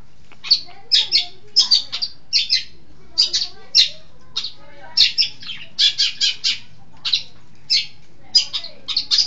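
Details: Long-tailed shrike from East Java, a lively singer, repeating sharp, high, clipped notes singly and in quick pairs or triplets, about one to two a second, with clear silences between.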